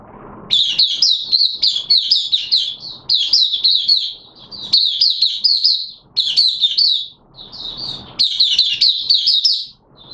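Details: Caged oriental white-eye singing in wet weather, 6 September 2022: fast, sweet twittering phrases of high warbled notes delivered in runs of about one to two seconds with short gaps between.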